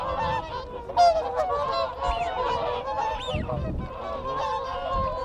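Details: Close group of whooper swans exchanging contact calls: steady, overlapping brassy honks, punctuated by rising-falling whistles of wigeon and honking Canada geese in the background.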